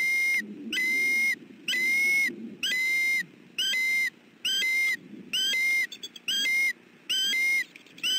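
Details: Bald eagle in southwest Florida on 28 December 2013, defending its nest and family as an intruder approaches: a steady series of high, thin piping whistles with a rising upturn, about ten bursts in eight seconds, over a faint low rumble.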